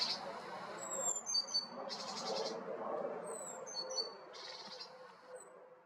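Great tit giving thin high whistled notes and short buzzy, rasping bursts every couple of seconds, over a low steady background rumble.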